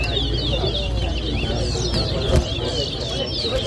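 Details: Towa towa, the chestnut-bellied seed finch, competing at a Guyanese bird whistling contest in Lusignan in 2023. Quick, looping high whistles and chirps repeat steadily against heavy low background din and a brief thump.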